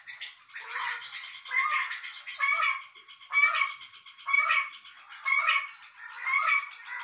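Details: Common quail (batair/bulara) giving rhythmic, clipped bursts of calls about once a second, with a steady hiss of overlapping background chatter.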